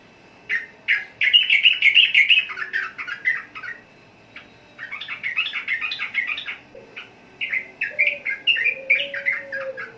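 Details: Sooty-headed bulbul pouring out quick chattering notes in three long bursts, bright and tumbling, the middle burst dense and busy. A soft low hum is heard faintly behind.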